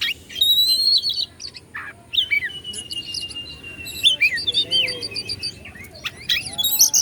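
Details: Oriental magpie-robin in Bandung, Indonesia, singing to stir other magpie-robins: sustained clear whistles, long flat tones, interspersed crisp chips and rapid stuttered clusters, loud and continuous.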